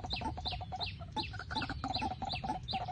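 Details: Night-time white-breasted waterhen calls used to lure birds into a trap: rhythmic, harsh clucking notes repeated about three times a second, each with a short, falling, high-pitched squeak, over steady low background hum.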